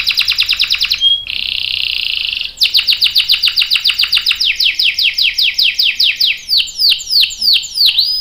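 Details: Canary singing prolifically, a lure song with long rolls meant to prompt other canaries to answer: a rapid trill, a brief pure whistle, a dense buzzy roll, then a long run of falling chirps quickening into sweeping notes.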